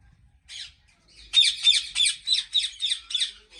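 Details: Ringneck parrots at a large breeding farm in Pakistan: one soft squawk, then a fast, fairly regular run of about eight loud, harsh screeches, roughly three a second.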